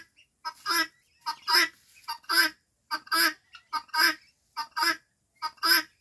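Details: 5-month-old guineafowl giving harsh, grating two-part calls, a short clipped note then a longer rasping one, repeated roughly every second.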